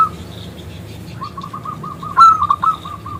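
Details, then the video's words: Local zebra dove calling a male to answer; a soft regular string of quick coos interrupted by a brief loud sharp burst of rolling notes, then the soft coos resume. "PERKUTUT lokal Gacor Suara BESAR Kristal Memanggil JANTAN ngajak BUNYI"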